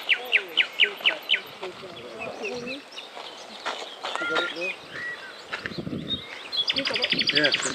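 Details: A common nightingale sings at Paxton Pits, Cambridgeshire, England, on 1 May 2011: loud, sharp repeated notes, then varied whistles and chuckling phrases, ending in a fast rattling trill.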